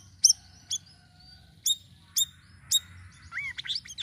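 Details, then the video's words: Sirisiri in varied lure song: sharp, high, well-spaced chirps roughly every half second with a faint thin whistle between, ending in quick upslurred and downslurred twittered notes. "GACOR UNTUK PANCINGAN BURUNG SIRISIRI DENGAN VARIASI SUARANYA"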